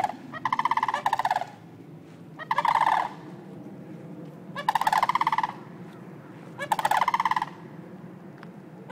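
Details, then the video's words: Sandhill cranes in Longleaf, Trinity, Florida, in early September, give loud, rolling, trumpeting rattles in bursts about a second long, roughly every two seconds, over a low steady rumble. "Sand Hill Cranes Squawking"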